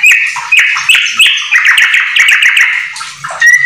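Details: Domestic yellow-vented bulbul in full rapid song laced with magpie-robin phrases: strong ringing whistles repeated in quick bursts, then a fast rattling series and a final clear upslurred note.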